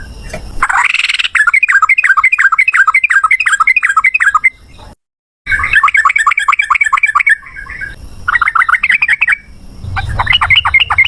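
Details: Sooty-headed bulbul song in the lively 'ropel ngalas' style, used as a lure to make other birds answer: long runs of rapid, bubbly two-note phrases repeated many times over, broken by a short silent gap near the middle.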